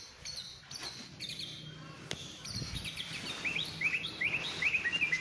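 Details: Oriental magpie-robin: soft noisy start, then a run of short, bright upslurred whistles repeated about three times per second toward the end.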